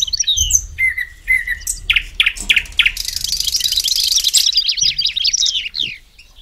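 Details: Reverse hybrid goldfinch delivering a fast, varied twittering song of chirps, slurred whistles and a dense buzzy rattle in the middle, high and liquid throughout.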